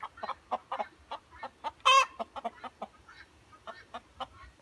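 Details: A pair of Ayam Cemani chickens cluck in short, quick bursts, roughly two or three a second, with one louder, harsher squawk in the middle.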